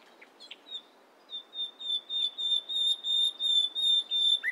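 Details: Singing in the morning, a nightingale starts with soft scattered notes, then pipes a slow run of clear whistles on a steady pitch that grow steadily louder.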